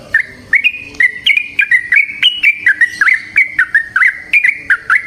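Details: Yellow-vented bulbul in the wild giving a lively 'ropel panjang' song, a long unbroken string of short gurgling notes, roughly four per second, wavering slightly up and down in pitch.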